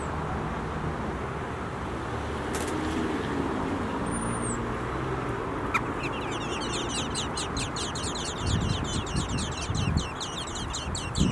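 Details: Nestlings begging as a parent bird feeds them, a rapid series of high, thin chittering notes starting midway and continuing to the end, over steady low traffic-like rumble and a brief high whistle earlier.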